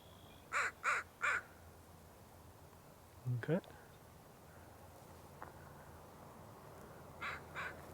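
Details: American Crows calling at Sargeant Bay Provincial Park, British Columbia, Canada, on April 30, 2026: three harsh, hoarse caws in quick succession, then a brief rising voiced sound, and two fainter, more distant caws near the end.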